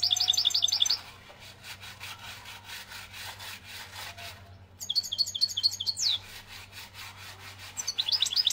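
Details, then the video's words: Algerian European goldfinch in song, with three bursts of high twittering and trilled phrases, one ending in a falling slur, interrupted by a stretch of rasping, ticking noise and a low hum. "من هذا التغريد الحسون"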